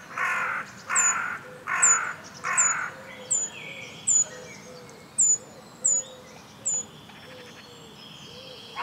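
A Eurasian treecreeper gives thin, very high, slightly falling calls, roughly one a second, while a crow caws harshly four times at the start.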